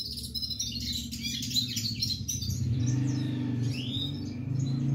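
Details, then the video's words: Red-fronted serin delivering a burst of rapid high twittering for about two seconds, then a couple of faint slurred notes while a louder low droning hum takes over. "non stop singing Red head pulisas serin"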